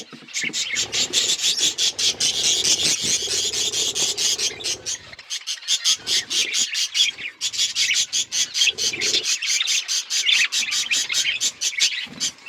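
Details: Budgerigars chattering: rapid raspy pulsed notes repeated about twice a second, forming long grating runs of chirps, a short pause midway, then the scratchy chatter resumes.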